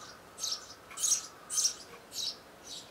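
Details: Nestling Eurasian tree sparrows begging while parent birds feed them at the nest, 12 May 2012, just hours before leaving it; five loud, sharp, high chirps repeated about every half second against a quiet background.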